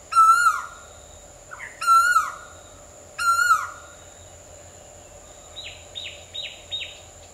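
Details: Asian koel calling with three loud rising whistled notes repeated about every 1.5 seconds, each ending in a falling slur, followed by a quicker series of four short higher notes.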